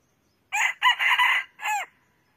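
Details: Red junglefowl crow: a loud, clipped, harsh phrase of four bursts, the two middle ones longer and broken, ending in a short downward-curving note, with silence before and after.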